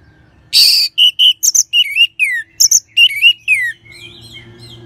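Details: Orange-headed thrush in full song, used as a training sound to encourage other birds to sing: a harsh burst, then a fast string of varied clear whistles, swoops and sharp high notes.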